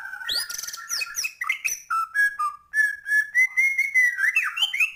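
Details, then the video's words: Actively singing white-rumped shama with a full run of filler phrases: a buzzy opening, then a series of clear whistled notes in short bursts, with rising warbles at the end. "Murai batu gacor,, full isian"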